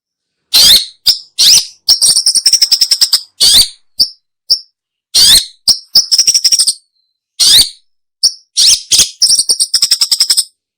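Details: Long-tailed shrike call recording used for luring birds: bursts of rapid, harsh, buzzy notes in quick chattering series, separated by short pauses, with a few single sharp chips; no other sounds.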